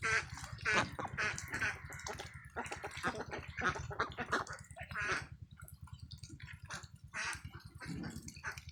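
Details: Farm ducklings in a field, a dense run of rapid, overlapping nasal quacks that thin out toward the end, with a constant low droning hum underneath.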